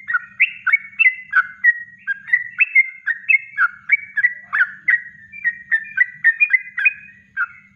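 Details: Natural kongslet song of a yellow-vented bulbul, recorded as a training master for other birds: a fast, steady stream of liquid, warbling whistled notes, about three per second, rising and falling throughout.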